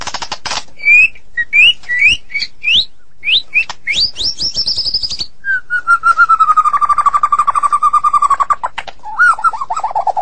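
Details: White-rumped shama (Copsychus malabaricus), Medan type, in long full song: quick rising whistles and high ringing notes, then a long rapid trill on one pitch and more fluty phrases.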